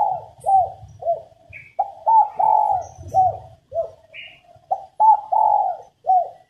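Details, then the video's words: Spotted dove hen giving her coo to push males to sing more: a chain of short rounded coos and longer swelling notes, about a dozen in all, with an occasional faint higher chirp and low rumble. "Cu mái gáy kích bổi nhanh nổi, kích trống gù khách"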